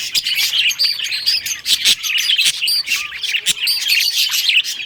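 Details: Rare-coloured budgerigars playing with toys chirp in quick high bursts, with short clear whistles and squeaky warbles broken by sharp clicks from toy play.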